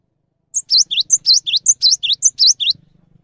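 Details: Cinereous tit singing, recorded as training material for other birds: a quick run of high, piercing paired notes, each pair a sharp upward-slurred chip, repeated around ten times in two seconds before stopping.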